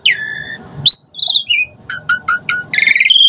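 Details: Asian pied starling song used as a lure so other starlings start singing. A long steady whistle, a sharp upsweep, and a wavering phrase are followed by four short whistled notes and a rich buzzy whistle.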